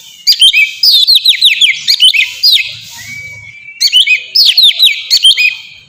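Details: Melodious ngeplong song of an Oriental magpie-robin, played to lure and train untrained birds: two phrases of bright whistled notes, each with a string of quick repeated downward slurs, split by a drawn-out thin tone.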